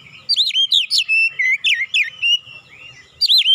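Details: Oriental magpie-robin, used as a training lure, singing with imitated tit song: a steady string of about ten bright looping whistles, each a rise-and-fall slur, briefly pausing before another starts.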